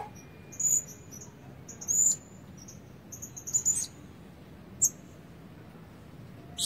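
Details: A red-breasted Blue-crowned Hanging Parrot used as a lure bird, not yet in full plumage, calling with sharp, shrill high-pitched squeaks in short irregular bursts, some doubled, against a faint background.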